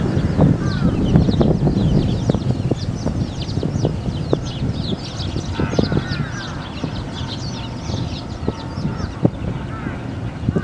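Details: Dense chorus from a large flock of wild Eurasian tree sparrows in strong wind, Japanese wildlife sanctuary; rapid, nearly constant high chirping, about three notes per second, over low wind rumble.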